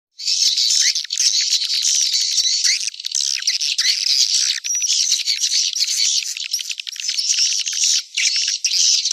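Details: White-nest swiftlet calls: a continuous dense chorus of high, rapid, buzzy twittering and chattering with squawky notes, almost unbroken throughout.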